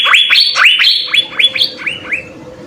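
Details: Lively Asian fairy-bluebird singing in full, used to tutor other songbirds: a rapid string of bright, upward-swooping whistles that fades and thins toward the end over a faint low background hum.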